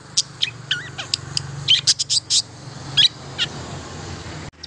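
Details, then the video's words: Long-tailed shrike song used as a lure to stimulate silent shrikes to sing: a quick string of sharp, scratchy chips and brief high whistled notes, unevenly spaced, over a faint low hum. "KICAU INI AMPUH MERANGSANG CENDET BISU JADI GACOR"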